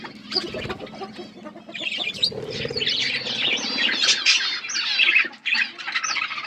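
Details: Feeding budgies: low rustling and scattered soft chirps at first, then a rising wave of loud, rolling warbles and chattering notes that peaks mid-clip before easing.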